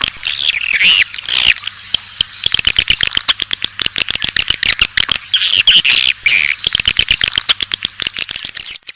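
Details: Swiftlet lure call, A Leyung style, meant to draw swiftlets in: continuous high-pitched buzzy twittering over rapid dry clicking ticks, with a faint low hum beneath.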